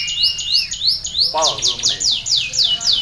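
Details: Canary champion trained on ciblek song gives a rapid, even run of high, piercing downward-swept notes, about four per second, broken by a short lower warble midway before the fast sweeps resume.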